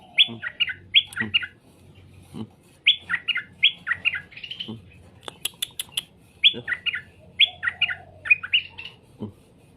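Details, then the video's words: Song of a straw-headed bulbul, used to make birds respond: short, loud, liquid warbling phrases repeated about every one to two seconds. A low hum and sharp chirps from other birds run throughout. "Suara burung cucak Rowo di jamin langsung nyaut"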